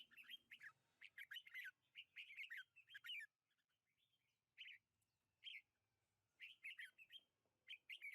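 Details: Lychee-orchard recording from 21 March 2020 of a red-whiskered bulbul delivering rapid, chirpy, warbling phrases in bursts, a busy run in the first three seconds, then isolated phrases and a final cluster, with faint low background hum.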